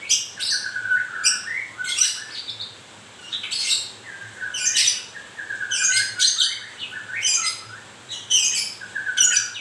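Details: White-rumped shama in moult giving a busy song of clear whistled notes mixed with rapid harsh, rasping high bursts, repeated in clusters roughly every second or two.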